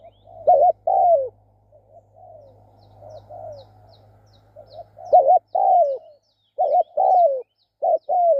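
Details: Spotted dove kept for decoy luring, calling in repeated phrases of a short stuttering coo followed by a longer falling croo. Quieter coos sit between the loud phrases and a low hum fades out midway.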